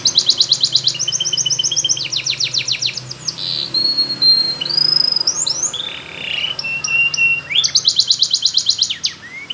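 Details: Canary training song of the Spanish Timbrado type, mixing dense metallic trills, long level whistles sliding up and down, and a return to rapid rolling trills, over a soft background hiss.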